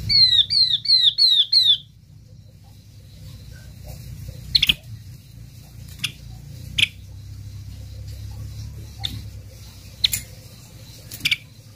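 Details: Yellow-eyed babbler lure call used to draw in a flock: five clear, downslurred whistled notes in quick succession, about three per second, then a long stretch of sharp, scattered clicks over a low hum.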